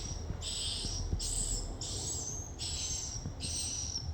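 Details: Swiftlet calling: a run of harsh, buzzy high chirps, each about half a second long and separated by short gaps, with a low rumble of background noise.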